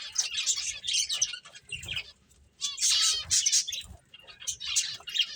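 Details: Finches playing, giving bursts of high, thin chirps and twittering in clusters, with a short quiet gap near the middle before the chatter resumes.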